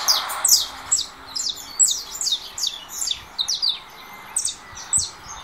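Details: Saffron finch of the russo type, coming out of molt, singing against another canary's song played from a phone: rapid high, thin downslurred notes repeated about twice a second in an uneven series, with light background hiss.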